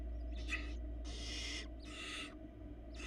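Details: Begging from barn owl nestlings as their mother feeds them in a Florida nest box: rasping, noisy hisses lasting roughly half a second, coming in quick succession, three to four bursts over a constant low background hum.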